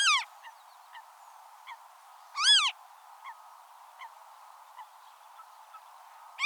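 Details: A Western marsh harrier, recorded in the wild, gives loud, mewing, down-slurred calls about two seconds apart, over faint short chips from another bird.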